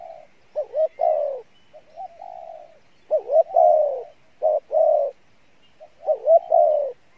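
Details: Spotted dove with a good voice and fairly good cooing, "Đồng Pha Bài Lối" style: repeated phrases of low level coos followed by two sharp hooked notes and a long falling coo; the later phrase is broken into separate loud notes.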